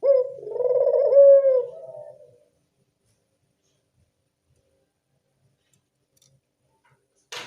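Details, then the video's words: Single rolling coo of a local Barbary dove, used as a lure for doves, lasting about two seconds and fading out, followed by silence and a brief click. "Pancingan burung puter lokal"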